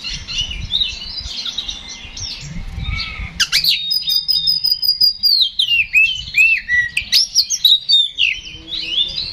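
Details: Oriental magpie-robin, or kacer, singing loudly in fighting mood as a lure for other birds. Busy high chatter over low background rumble shifts into crisp clicks and a rapid stream of pulsed, bending whistles.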